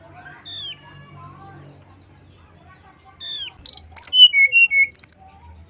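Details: Male brown-chested jungle flycatcher: scattered soft whistles and a slurred descending note, then a loud phrase of sharp high notes, a falling series of pure whistles, and a final tight cluster of very high chips.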